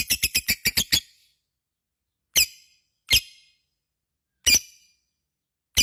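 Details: Lovebird sounds in the 'ngekek koekk' style: a quick burst of six sharp, squeaky clicks, then four separate shrill, harsh chirps spread over several seconds.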